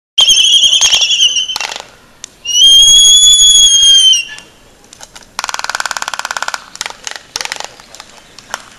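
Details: Laysan albatross during a courtship dance at Princeville, Kauai, Hawaii: loud, high, harmonic whistled calls held for over a second, then a long burst of rapid dry clattering pulses, followed by scattered clicks.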